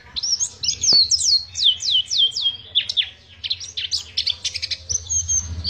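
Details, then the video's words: High sweet twittering from an Oriental white-eye in the long ngriwik style: a run of steeply falling whistled slurs, then a scratchy rapid chatter of short notes, over low background rumble. "Pacitan Ori Ngriwik panjang"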